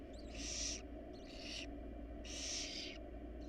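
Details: A family of wild barn owls inside their nest box gives three harsh hissing calls, with softer fragments between them, over a steady drone.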